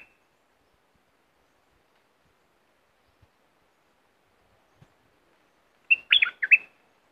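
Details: Near silence for several seconds, then a single brisk bulbul phrase of liquid whistled notes; a southern Thai recording meant to excite birds for decoy trapping.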